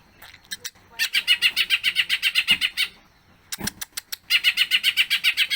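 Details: Greater green leafbird song rich in imitated phrases: two runs of fast, rhythmic, buzzy chattering notes, split by a pause and a cluster of sharp clicks.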